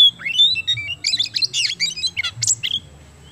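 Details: Oriental magpie-robin from Indonesia, song played to stimulate other birds to sing: a dense, rapid run of varied whistled notes, sharp upsweeps and buzzy chatters, several notes per second without pause, with a faint low hum beneath.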